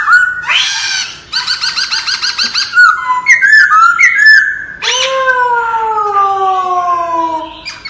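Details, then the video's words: Wild-voiced laughingthrush song used for training: a harsh opening note, a fast even burst of repeated rich notes, stepped whistled phrases, then a long, smooth, gently falling tone. "Luyện giọng chim Khướu chuẩn giọng rừng"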